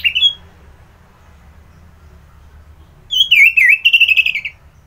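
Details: Kept orange-headed thrush in Bali, Indonesia, heard in the morning: one short whistled note, a pause, then a rapid tumbling phrase of looping, slurred whistles about four per second, fading at the end.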